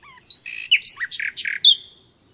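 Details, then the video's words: Short nightingale phrase, natural sound: a low whistle, then a jumble of varied chunky, throaty notes at shifting pitches, closing with a bright downslurred high note. "Doğal Bülbül Sesi Dinle"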